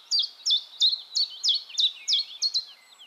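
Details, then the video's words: In Heemskerk, the Netherlands, a common chiffchaff sings high, sharp notes alternating up and down in an even chiff-chaff rhythm, about three per second, against a faint background hiss. "Chiffchaff Singing"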